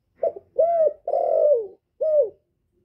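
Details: Male spotted dove, a decoy bird, calling to lure wild doves. It gives a low cooing phrase: a short soft note, two drawn-out, slightly falling coos, then a final short coo after a pause. No background noise.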